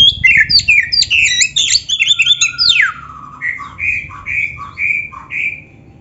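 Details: Black-breasted Oriental magpie-robin in a fast mimicking training song: a dense scratchy warble ending in a long downward slurred whistle, followed by a string of clear, evenly spaced whistled notes.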